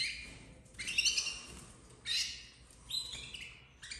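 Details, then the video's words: Red snowy domestic canary nestlings, bred in 2024, calling in a sequence of harsh, noisy chirps about once per second, some bursts longer and louder, with a quiet low background hum. "Filhotes de canário doméstico 2024 vermelho nevado"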